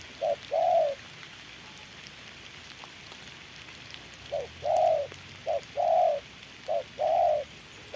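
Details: Spotted dove decoy facing a wild bird at a trap in the rain, calling in short-long coo pairs after an early pause, over a soft hiss of background noise.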